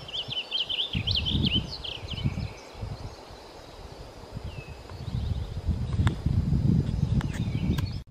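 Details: Male Blue Grosbeak, a 2020 migrant, singing to his mate after stripping seeds from a seed head held in his foot; a quick warbled run of high, sliding notes opens the clip, followed by rustling and low rumbling noise.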